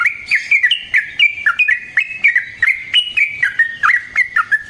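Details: Sooty-headed bulbul singing long rolled phrases meant as a lure to prompt other bulbuls to answer: quick chattering, slurred notes rising and falling, run together in a dense rapid series, with a few higher faint notes above.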